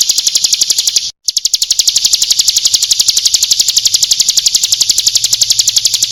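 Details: Female bar-winged prinia (ciblek gunung) calls to males, used as a lure: a fast, even run of sharp, high ticking notes at about four per second, with one brief break near the start.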